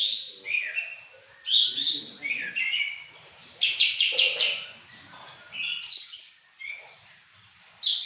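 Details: A prized pekin robin singing energetically: a stream of sweet warbled whistled phrases, bursts of rich rising and falling notes separated by short pauses.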